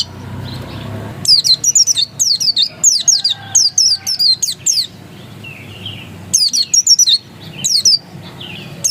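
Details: Oriental white-eye, pleci dakun, singing ngotot: long, persistent series of thin, high, down-slurred chirps in fast succession, a pause, then more bursts, with soft lower warbles between.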